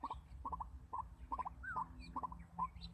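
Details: White-breasted waterhen kept as a decoy bird for trapping, giving short clipped clucking notes in quick uneven bursts, with thin whistles from other birds over a low background rumble.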